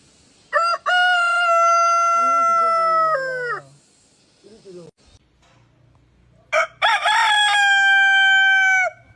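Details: Two long crows from a rooster separated by a few seconds; between them come lower, wavering sounds and short soft noises, and the second crow starts with a ragged burst before settling into a steady held tone.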